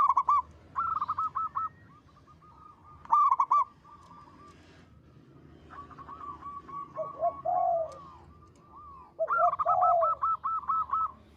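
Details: Local zebra dove singing repeatedly: several separate bouts of rapid clipped notes, some followed by a lower rolling coo, with quiet gaps between phrases and a faint low background hum.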